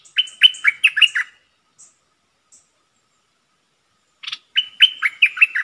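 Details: A caged decoy bulbul, recorded 22 August 2021, sings two quick bursts of six or seven bubbly, warbled notes, separated by a few seconds of quiet with faint high chips.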